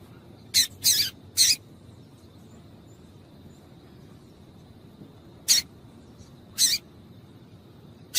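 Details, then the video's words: Female double-collared seedeater calling to excite the male: five short, sharp, high chips in two clusters, about a second apart and then after a four-second pause, with a steady faint high tone behind. "Fêmea de Papa Capim Chamando para Esquentar Macho"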